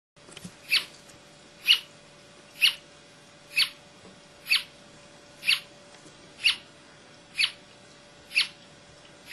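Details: A Brasilia tapaculo sings in Serra da Canastra, Minas Gerais, Brazil, on 28 June 2004, a steady run of about ten short, sharp, high notes, roughly one per second, over a faint constant hum.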